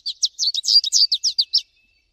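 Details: American goldfinch in nature giving a quick, tumbling series of about a dozen high sweeping chirps in under two seconds, then silence.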